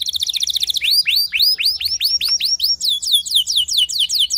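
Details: Canary lure song aimed at prompting other canaries to sing. A fast buzzy trill breaks into a steady run of looping rising whistles, roughly four per second, ending in quicker slurred notes.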